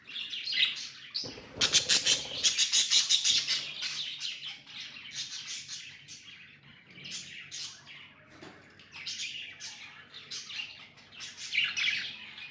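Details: Pet budgerigars warbling steadily, a run of rapid rhythmic clicking notes early on, then softer scratchy high chirps and whistles with faint low hum.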